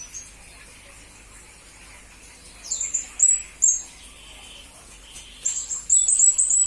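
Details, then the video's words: Master recording of a serindit (blue-crowned hanging parrot) for training magpie-robins and green leafbirds: scattered sharp high chips, then a closing rapid string of shrill repeated notes, with a thin lower whistle in between. "Serindit Masteran Berkualitas Untuk Burung murai dan kacer ijo"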